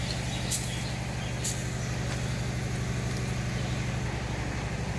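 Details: Steady low engine rumble from a large vehicle, with a regular throbbing pulse and two brief hissing bursts near the start; no animal voices.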